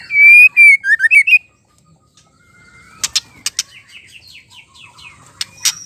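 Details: Female white-rumped shama (murai batu) song to rouse males: loud ringing whistled notes in quick succession for a second, then quiet, with sharp clicks and soft chattering after.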